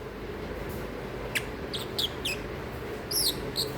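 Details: A sleepy, noisy pet masked lovebird gives a handful of short, high, squeaky chirps spaced out over a few seconds, above a steady low room hum.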